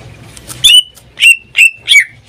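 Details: Greater green leafbird kept as a pet, singing almost every day: four sharp, loud notes each ending in a short whistled tail, spaced about half a second apart, with low background hum.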